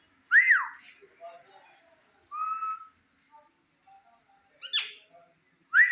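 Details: Indian ringneck parakeet in front of a mirror, talking in short bursts: an arched whistle, a flat whistled note, scattered soft syllables and a brief harsh sound, then another arched whistle.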